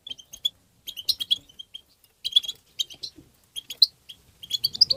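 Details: Goldfinch song in the tabta style for stimulating goldfinches: lively, continuous twittering of high tinkling notes in fast bursts, with a faint low rumble toward the end.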